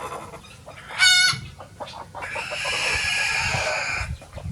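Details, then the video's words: Free-ranging chickens of many breeds on a farm on a sunny day; a sharp harmonic squawk near one second, then a long loud noisy crow-like call from about two to four seconds, with scattered soft clucks and low ground noise. "Chicken sound effects"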